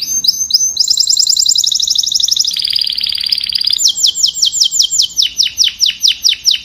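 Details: Flock-calling canary song made of varied rapid trills, one high and bright, one lower and buzzier, followed by a run of spaced downward-sweeping whistles.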